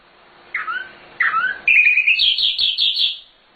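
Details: Nightingale (sikatan londo) singing energetically with full varied phrases, used as a master recording for training birds: two slurred downward whistles, then a bright high trill of rapid repeated notes building in loudness.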